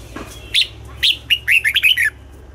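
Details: Morning song of a red-whiskered bulbul in the double-note, mature wild-bird style: two clear upslurred notes followed by a rapid string of about five bright, falling whistled notes, with a low hum beneath.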